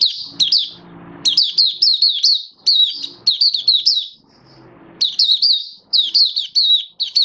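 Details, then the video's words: A hobby-kept oriental white-eye, recorded 19 September 2022 in build-up form, sings fast, high, sweet twittering phrases in quick bursts separated by short pauses, over a faint low room murmur. "Mata Puteh V2 Raja Buka Sing"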